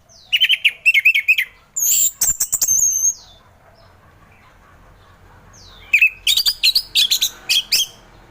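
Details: Orange-headed thrush in ngeplong style, offered as morning therapy for thrushes slow to sing: quick bursts of chattering, whistled notes with high sliding calls, broken by several seconds of near silence.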